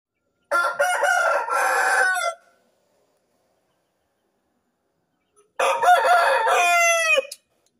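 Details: Rooster crowing before dawn on a cool morning: two loud, harsh, drawn-out crows, each about two seconds long, separated by a few seconds of silence. The second crow ends in rising strained notes.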